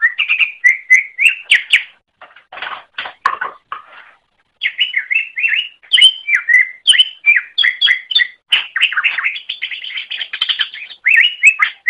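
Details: Greater green leafbird song intended to train other birds: a long, nearly continuous stream of quick whistled and chirping notes, jumping and sliding in pitch, with a short break and some scratchy rasping sounds midway.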